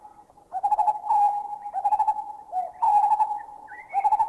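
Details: Lineated Barbets, recorded in a Thai national park (Khao Yai, Doi Inthanon, Doi Suthep-Pui or Chae Son): one gives a low, rapidly bubbling hoot, then another joins with repeated double notes; a greater cuckoo's whooping sounds faintly behind.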